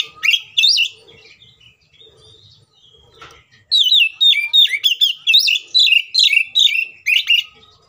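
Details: Oriental magpie-robin giving its agitated fighting song to provoke other magpie-robins: a couple of loud whistled notes, quieter scattered chirps, then a long rapid stream of loud, twisting whistled phrases.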